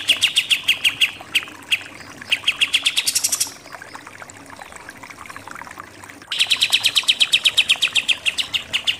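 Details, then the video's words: Pied triller delivering 'nembak' shooting-style song: rapid chattering runs of shrill repeated notes, a pause with scattered faint chips, then a long loud burst of fast, evenly paced high notes. "KAPAS TEMBAK SUPER NEMBAK-NEMBAK"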